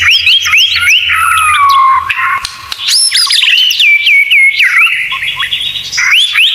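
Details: White-rumped shama tutor song packed with 'tembakan' phrases: a rich run of high whistles and slurred downward notes, a short quieter gap, then rapid rising-and-falling whistled figures.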